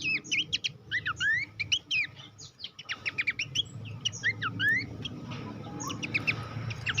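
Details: Horsfield's babbler master song for training competition birds, a lively run of quick rising whistles and short chirps over faint low rumbling background noise.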